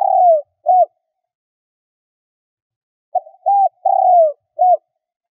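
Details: Decoy Spotted dove calling to attract wild doves. The tail of one phrase, a sliding long coo and a short close, is followed by a pause and then a whole phrase of four mellow coos with a downward-gliding third note.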